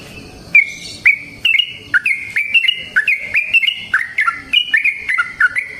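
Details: Yellow-vented bulbul singing in the wild, a lively long-phrased 'ropel panjang' string of liquid, slurred whistles tumbling up and down in quick succession for several seconds without a break.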